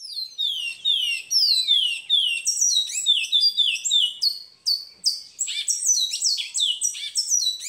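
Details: Seed finch (twa-twa) training song, first "kiauw" section with a background choir bird: fast runs of downward-sweeping whistles, then higher, sharper chopped notes repeating densely, clean with no other noise.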